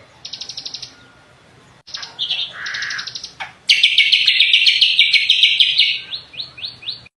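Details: Cucak kombo, the greater green leafbird, in gacor song: short buzzy rattles and a lower warbled phrase, a pause, then a loud sustained rapid chatter of high twittering notes ending in a few separated chirps.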